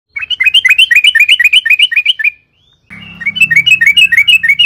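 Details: Yellow-vented bulbul in long, continuous 'gacor' song used as a lure to make other bulbuls sing: fast bubbly chattering notes, about four per second, in two bursts split by a brief pause, with a faint low hum under the second.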